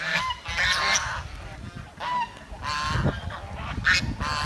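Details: Village swans give nasal honks with a few brief higher squeaks, overlapping in loose bursts against constant low-frequency background noise.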